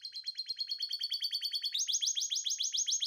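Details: Canary in breeding condition singing a fast trill of repeated high notes, about seven per second, which shifts midway into a higher, louder series of sharp rising notes.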